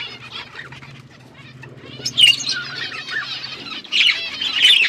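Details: Budgerigars flocking in an outdoor aviary, quiet at first over a low hum, then breaking into louder bursts of squeaky, warbling chirps.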